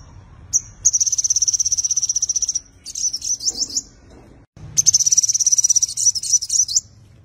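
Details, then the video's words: Five-colored sunbird in fighting song, used as a lure for wild birds: long rapid high-pitched trills of even ticking notes, broken by short pauses, then resuming just as fast. "Tiếng chim hút mật 5 màu dùng đi mồi đánh bổi - Tiếng chim hút mật 5 màu hót đấu"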